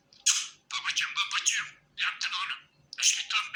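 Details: Happy pet budgerigar warbling in three dense, grating bursts of chatter mixed with sharp high squeaks, short silences between them.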